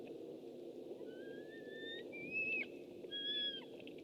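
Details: A white-tailed eagle is heard on a webcam on 6 August 2015: thin, fairly quiet whistles, a long gently rising one followed by shorter level notes, partly buried in steady low background noise.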